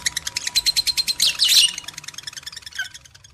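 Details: Lovebird breeding-stimulation sound for male and female birds: quick repeated high chirps for over a second, a loud rasping burst, then softer scattered twitters fading out, with a faint steady hum behind.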